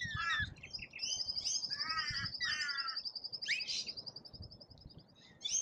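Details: Rainbow lorikeets at an Australian feeder give rasping, buzzy chatter in quick bursts, while a thin, steady high trill runs across the middle of the recording; low thumps sound underneath.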